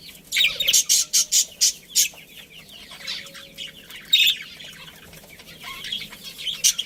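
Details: Chirping budgerigars from a breeding pair and colony: a quick run of about seven sharp, high chirps in the first two seconds, then looser scattered squeaks and a louder burst near four seconds, over faint background rustle.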